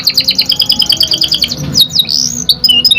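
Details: Canary, a young bird, singing on a lure recording: a steady run of paired high chip notes, then rising and falling whistled slides and a few short chirps.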